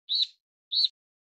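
Steere's liocichla gives two short, high, slightly slurred notes about half a second apart, with silence around them.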